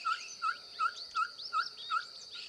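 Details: A ferruginous pygmy owl gives evenly spaced, short, mellow hooting notes, six in quick succession, each about a third of a second apart. Higher chirps from other birds and a steady insect hum are heard behind.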